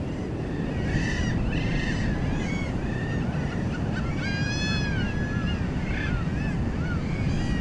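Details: Peruvian gull calls, a mix of short, barking yelps and longer, rising and falling nasal wails from a few birds, over steady, loud, rumbling noise like surf.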